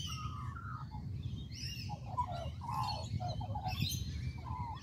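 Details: Gurgling, yodelling phrases from an Australian magpie in a tree in Perth's Kings Park, Western Australia, short warbled notes tumbling in quick succession with some higher scratchy sounds, and a steady low rumble underneath.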